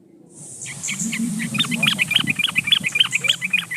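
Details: Yellow-vented bulbul singing strongly to a rival, a recording meant to make other bulbuls respond: a steady run of bubbly, warbled whistled phrases over a constant background hiss and low rumble.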